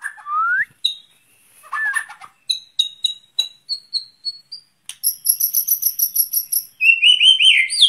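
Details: White-rumped shama hung outdoors in the open air to train its breathing: varied phrases, a rising whistled slur, scratchy notes, then rapid high repeated chips and bright trilled notes near the end.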